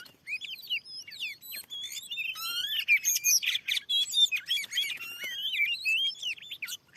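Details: Oriental magpie-robin, a fierce wild bird, responding to a lure at freshly cleared land. Continuous jumble of clear whistles, quick upslurs and downslurs, and scratchy chirps, delivered in rapid bursts of about two or three notes per second.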